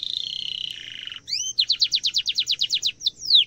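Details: Canary in full song, a sharp rolling trill used as a master song for training young canaries: a buzzy high tone sliding slightly down, then two upward sweeps and a fast run of about fourteen repeated rising notes, ending in a sharp downslur.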